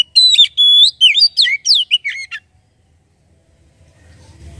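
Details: Oriental magpie-robin singing to prompt magpie-robins into song: a lively two-second phrase of bright whistles, one held long and level, the rest quick downward slurs, followed by near silence.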